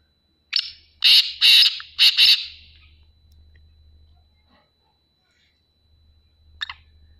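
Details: Black francolin calling loudly just after being freed from a cage: a quick burst of five harsh, grating, broadband notes within two seconds, then near silence with a faint low hum and one short harsh note near the end.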